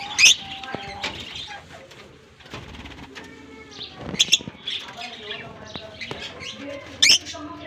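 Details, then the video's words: Shrill, piercing lovebird chirps ring out at intervals, spaced several seconds apart, amid constant chatter from many birds in a colony where the flock was set free in German summer weather. "Japan lovebirds release in colony season off come to summer 🌞 off season bird good chirping sound"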